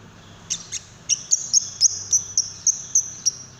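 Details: Lovebird call meant to trigger singing in another lovebird: a fast series of thin, sharp, high chirps, about three or four per second, each a clipped squeak, over quiet background hiss.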